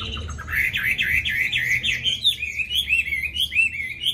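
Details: A captive Chinese hwamei with a pure wild-type voice of many wild phrases sings a loud, fast run of rich whistled phrases, rising and falling and rolling on without pause, over a faint low hum.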